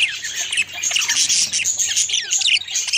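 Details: Budgies, pet parakeets, during mate feeding, giving a continuous stream of harsh squawks and thin chirps, busy and overlapping, with brief high whistled notes mixed in.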